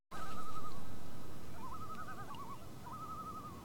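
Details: Common loons (Gavia immer) on a New Hampshire lake just after ice-out, before dawn at 37°F, give wavering tremolo alarm calls, several rapid warbles in a row, at a bald eagle flying nearby, over a low rumble of wind or water.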